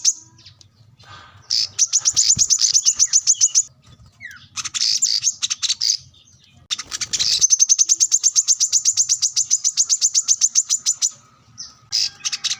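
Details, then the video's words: Plain-throated sunbird (kolibri kelapa, wiceh), singing actively to challenge a rival and serve as a training master. It delivers fast trilled bursts of very high clipped notes, several seconds long, separated by short gaps, with faint low rumbling beneath. "kolibri kelapa | wiceh | manggar | korlap gacor mencari lawan buat pancingan / masteran burung bahan"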